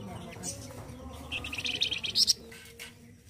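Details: Indonesian flamboyan bird singing harshly and loudly, prized as a tutor for other songbirds: an accelerating chattering trill of high notes building to a sharp peak, then a few soft chirps.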